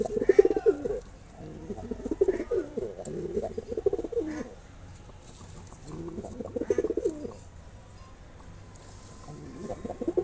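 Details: Male pigeon courting a female, cooing in low, throaty rolling bursts, with several bouts separated by short quiet gaps and a faint background hiss.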